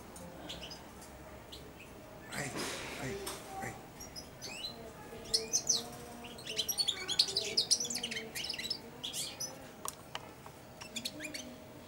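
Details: Young European goldfinch, four months old, caged and hand-fed, starting its first subsong. Quiet opening, then a run of thin high twitters and chips from mid-clip onward over a soft hum.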